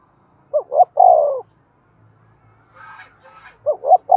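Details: Spotted dove cooing in the excited 'thúc' style for rousing decoys: one full phrase of two brief upswept notes and a long sliding coo, faint scratchy chatter in the middle, then the next phrase begins.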